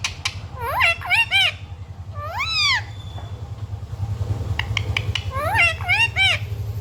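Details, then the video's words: Talking pet parrot, said to speak 'mummy papa' and 'sita ram', utters quick runs of rising and falling harmonic syllables, like voiced words, in two or three bursts separated by quieter gaps with low background rumble. "parrot talking mummy papa 🥰 parrot talking sita ram"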